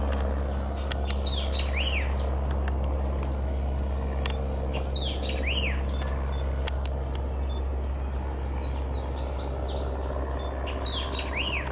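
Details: White-eyed vireo singing short, quick phrases of sharp chips and slurred whistled notes, each phrase repeated roughly every three seconds, over a steady low droning hum and passing vehicle noise.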